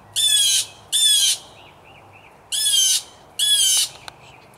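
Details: Four loud, grating jay screams in a fairly even series, each about half a second, from three to five blue jays battling for territory in a single yard tree; soft, quick chirps fill one gap.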